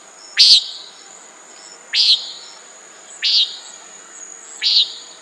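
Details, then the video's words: Four clipped, buzzy nasal notes from a common nighthawk, evenly repeated about every one and a half seconds, against a continuous high-pitched insect whine. "Common Nighthawk Sound"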